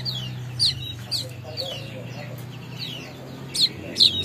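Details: A young weaver in Bima, West Nusa Tenggara, learns its song in short, high, slurred chirps that fall in pitch, uneven and about two a second, over a low steady hum.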